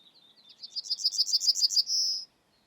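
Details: A Yellowhammer in Estonia sings a quick run of about ten high, dry repeated notes, ending in a drawn-out, thin wheezy note. The background is quiet.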